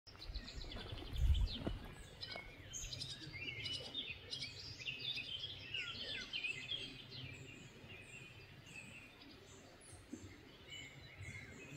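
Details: Barn swallows (Hirundo rustica) in the Drava valley on 22 June 2024 twitter in a steady run of quick, high chirps and scratchy notes, with a low wind rumble and a brief thump near the start.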